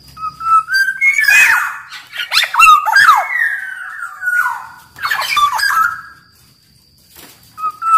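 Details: Singing Black-naped oriole, recorded as a master song for caged kepodang: soft whistles building into loud bursts of rapid swooping, slurred and nasal notes. The bursts are separated by quieter gaps, with a short whistle at the end.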